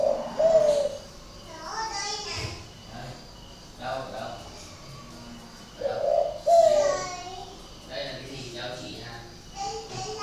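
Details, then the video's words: Spotted dove, one of two captive birds with an odd voice in Ba Vì, Hanoi, Vietnam, gives two soft rising-falling coos several seconds apart while a man talks throughout. "cu gáy độc lạ hoắc A E P H"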